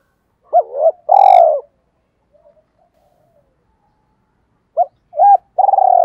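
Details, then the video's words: Spotted dove used as a lure, cooing 'gọi hai hậu'. Two brief notes lead into a throbbing coo with a sharp click over it. A long quiet gap follows, and the phrase then starts again with short notes and a rolling coo. "Chim Cu Mồi Gáy Gọi Hai Hậu"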